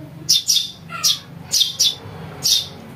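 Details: Calls of a house sparrow chick for bird luring: rasping, high chirps in quick pairs and singles, about seven in three seconds, over a quiet low hum.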